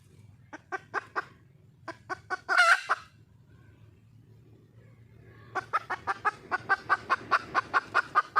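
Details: Wild hen of the red junglefowl calling to attract a male; scattered clucks lead to a loud harsh squawk, then a pause, then a fast even series of clucks.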